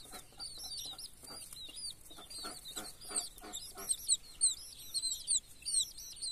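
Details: Many colourful baby chicks peeping together: a dense chorus of high, short, rising and falling cheeps, overlapping and continuous, with soft scratchy shuffling and tapping sounds below.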